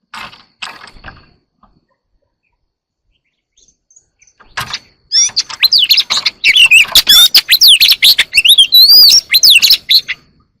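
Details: Oriental magpie-robin singing early in the morning: a few soft clicks and rustles, then a dense burst of loud, varied whistled phrases with rising and falling sweeps and rapid trills for about five seconds.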